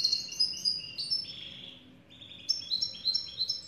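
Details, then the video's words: Black siskin of South American mountains singing high sliding whistles and a lower buzzy note, a short pause, then a fast run of chirps that climb in pitch. "الحسون الأسود tarin de bolivie"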